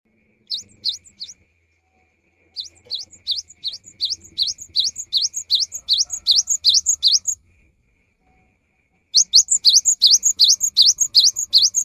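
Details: Cinereous tit in full song, used as a lure during the rainy season: rapid runs of high, sharp, V-shaped notes repeated about three per second, in three bursts separated by short pauses, with a faint low hum underneath.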